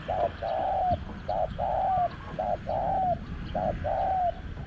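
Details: Cooing of a Spotted Dove, recorded while luring a wild, small-voiced, aggressive dove to a caged decoy at spot 14. Short and long soft, low coos alternate in a steady repeated rhythm over quiet background.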